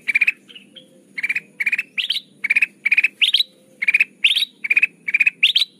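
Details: Trapping lure of kutilang emas, golden bulbul: steady rhythm of buzzy pulsed bursts about every half second, alternating lower rattles and higher rising ones, over faint hiss.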